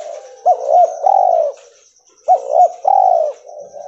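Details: Cotton-white albino spotted dove calling twice, each phrase a pair of short upswept notes then a long rolling throaty coo, with a pause of about a second between them.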